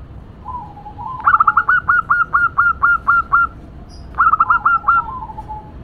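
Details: Female local zebra dove cooing noisily: a brief soft lead-in, then about nine quick, clipped, whistled coos in a rapid run, a short pause, and a second shorter burst of four notes trailing into a soft tail.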